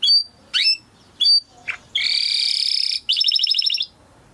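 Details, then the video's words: Timbrado canary song for canary training: separate whistled notes and a short slurred call, then a dense buzzy trill held about a second, followed by a rapid bubbling roll. "Υour canary will sing UNSTOPPABLY"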